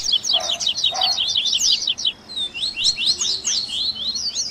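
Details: Coleiro 'baderna' song blend for training captive birds: a rapid high trill with two short lower notes beneath it early on. After a short break, a series of louder, sweeping downslurred whistles follows.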